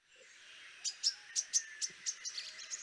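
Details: A Loten's sunbird gives a call rather than a song: a rapid series of high, sharp chips, about four per second and a bit faster than a purple sunbird's call, over a faint background hiss.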